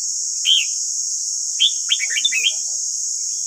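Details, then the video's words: Red-whiskered bulbul singing in a voice-training recording: one clear slurred whistle, then a pause and a rapid cluster of four or five bubbling whistled notes, with a constant high shrill hiss behind. "Luyện giọng chào mào ép bổi ép má trắng"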